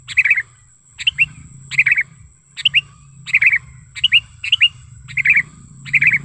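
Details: Natural lure call of a sooty-headed bulbul for drawing in and tutoring other bulbuls: crisp phrases of two or three liquid, descending whistles, each beginning with a click, repeated roughly every half second to second.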